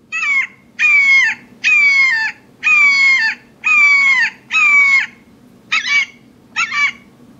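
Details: Red-shouldered hawk (Buteo lineatus) screaming six long, harsh, slightly falling kee-ah notes about once a second, then two shorter ones, over a faint low hum; a vicious-sounding call warning mobbing birds to leave its territory, heard over bottomland hardwood forest.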